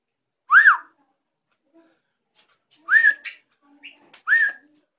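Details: Drongo making unusual sounds: three loud whistled notes, the first arching up and down, the others rising then holding, spaced irregularly, with faint ticks and a soft high chirp in the gaps.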